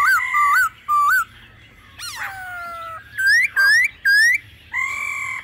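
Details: Laughingthrush in a mature wild voice together with female calls, used to excite other birds: wavering whistles, a falling slide, then three loud rising-falling whistled notes and a steady whistle.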